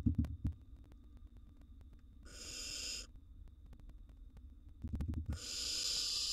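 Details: Wild barn owl nestling swallowing a gerbil in a nest box. Loud knocks and scuffling open the recording. Two harsh, wheezy hisses come several seconds apart, the second long and continuing to the end.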